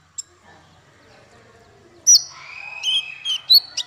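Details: Male Van Hasselt's sunbird for songbird tutoring: near-silence, then loud high sharp notes followed by a long thin whistle and sliding whistled phrases.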